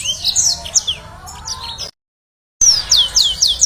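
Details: Yellow-fronted canary song meant as a lure to make birds sing: high chirps and slurred whistles with a lower wavering tone beneath, a brief silent gap, then rapid repeated sweeping notes resume.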